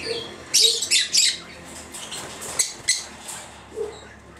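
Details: Young Red-winged Parrots hatched this year, recorded in 2014: harsh, broadband squawks, three in quick succession early on, then scattered single squawks with quiet hiss between them.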